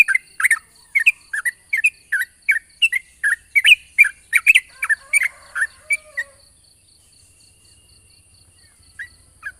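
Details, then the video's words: Morning lure recording of a yellow-vented bulbul in long 'ropel' style, meant to get young birds singing: a run of quick chirpy whistled notes, each about every half second, for six seconds, then near silence with one or two faint notes. "pancingan burung trucukan ropel panjang di pagi hari bagus untuk memancing trucuk bahan agar bunyi"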